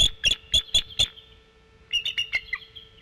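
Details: A female bald eagle on her nest in late November gives quick chittering: five sharp high notes in fast succession, a pause, then a softer descending run of notes, over a faint hum.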